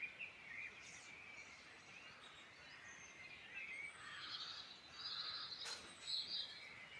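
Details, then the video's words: A dawn-chorus-like mix of birdsong from the Midlands of Ireland, with sweet warbled phrases and thin whistles coming from several directions. A brief sharp crackle is heard near the sixth second, with a constant low hiss underneath. "Beautiful birdsong in Ireland Midland"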